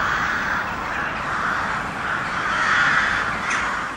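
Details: Crows making very loud noise: a dense, continuous chorus of harsh overlapping caws with no clear gaps, steady throughout with a slight swell near the end.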